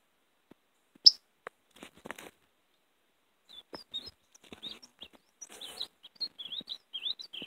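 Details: A European greenfinch twitters in quick, high chirps and short trills, used as a call to lure and catch greenfinches; dry crackling and rustling clicks are mixed in throughout.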